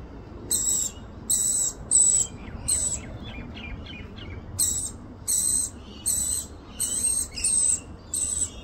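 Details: An Australian rainbow lorikeet feeds her baby, with about eleven grating, buzzy screeches. Each has a piercing whistled tone inside and they repeat roughly every half second. Faint twittering fills a short gap midway.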